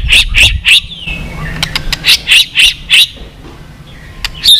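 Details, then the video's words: White-rumped shama fighting-song track meant to provoke birds into singing: a series of harsh, buzzy chattering bursts repeated about every half second, with a few sharp clicks between. "chòe lửa hót cực căng kích chim yếu lửa hót ,kích chim hót đấu, luyện giọng chòe lửa hót"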